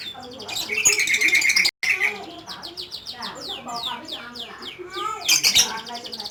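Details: Lovebird in full ngekek song, a long chattering delivery: dense runs of sharp, high chirps and quick downward-sliding squeaky notes tumbling over one another, with a brief gap near two seconds and a louder burst near the end.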